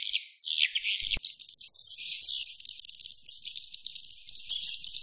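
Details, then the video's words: Swiftlet roosting call that opens with a loud rasping twitter burst and a click, then settles into a thinner, wavering high trill that fades and swells, with little else heard. "Suara Inap Walet"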